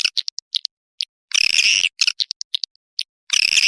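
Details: Swiftlet call used as a lure to draw swiftlets into a nesting building: short, high, buzzy chirps and brief twittering bursts separated by silent gaps, with two longer dense chattering bursts.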